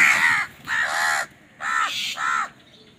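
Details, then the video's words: Crows squabbling over food give four loud, harsh, hoarse caws, each about half a second long, in two close pairs separated by short pauses. "Crow Bird Fight for Food | Crow Bird Unity Anger and Crowing Sound"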